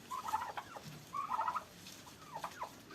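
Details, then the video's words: Two short rolling gobble bursts from fighting farm turkeys in Pakistan, followed by a couple of thin yelps near the end. "Turkey vs Turkey at my Farm||Turkey Fight||Fight at Farm"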